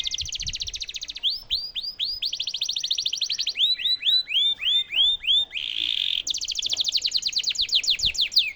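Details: Canary singing as a tutor song for White-rumped shamas, with fast high trills, a run of loud rising swept whistles repeated several times per second, a brief buzzy roll, then another rapid trill.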